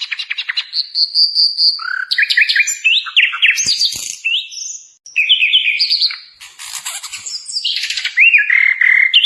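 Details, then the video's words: Sikatan londo flycatcher pouring out loud, fast, mixed twitters, scratchy bursts and whistled slurs, nearly continuous apart from one pause; a master recording meant to train songbirds. "Masteran burung Sikatan londo paling yahud"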